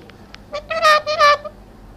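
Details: Talking parrot: a short burst of clear, tonal, speech-like syllables preceded by a few faint clicks, voiced in two loud pulses.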